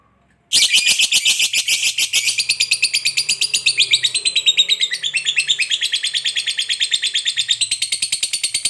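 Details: Fighter lovebird singing its long chattering ngekek song, used to provoke other lovebirds into singing: a sudden start, then over eight seconds of rapid, high, rattling chatter with shifting pitch.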